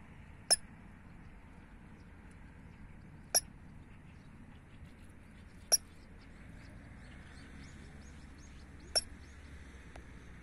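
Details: A Eurasian coot at a pond with blooming lotus flowers gives four sharp, explosive metallic notes, spaced about three seconds apart, over a soft steady background hum.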